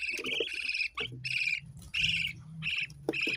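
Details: Budgerigar giving dense warbled chatter, bursts of squeaky harmonic notes running into each other with short gaps, a low hum underneath.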